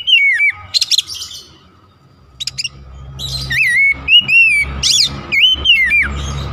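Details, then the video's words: Oriental magpie-robin song, a lure meant to provoke other magpie-robins: rich, varied whistled phrases with sliding, wavering notes, mixed with brief harsh chattering bursts and rapid clicks, repeated in quick succession. "PANCINGAN KACER"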